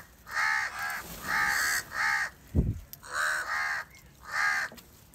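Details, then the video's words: Crows massing in great numbers for salty food and squabbling over it; a run of six hoarse, drawn-out caws follows one another steadily, each about half a second long, with a brief thump between. "A Very Huge numbers of Crows crowing and crying sound | Crow bird unity & sound for Salty Food"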